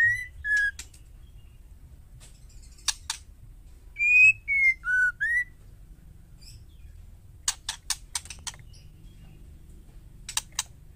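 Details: Female white-rumped shama, calling to provoke males: a few whistled notes and clicks at the start, then a four-note whistled phrase slipping down and back up. Scattered dry chack notes and silences follow.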